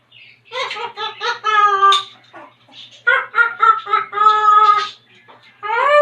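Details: Pet African grey parrot imitating animal sounds on request: rapid clucking syllables run into drawn-out harmonic calls, two bursts about two seconds long, then a rising call at the end, indoors.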